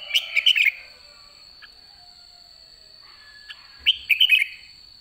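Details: Red-whiskered bulbul, white-cheeked, late in the season ('đã ché'): a quick cluster of sweet warbled whistles, a gap of about three seconds, then a matching bright phrase.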